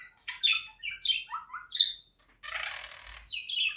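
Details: Budgerigar warbling chirps and falling whistles, followed by a harsh rasping squawk lasting almost a second, then bright whistled notes.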